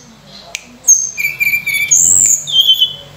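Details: Brief stretch of Sunda robin song used to lure and train other birds: a few long clear high whistles, one steady and one sliding downward, following a sharp click, with a low background hum.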